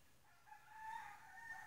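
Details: A distant rooster outdoors crows once in late spring, a drawn-out, slightly rising call lasting over a second, faint against a quiet background.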